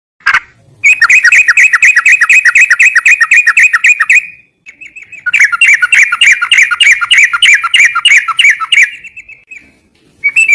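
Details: Yellow-vented bulbul singing in two long bursts of rapid, rattling notes near the middle of the bird's range, about four per second, each burst ending in a brief steady tone, with short pauses between.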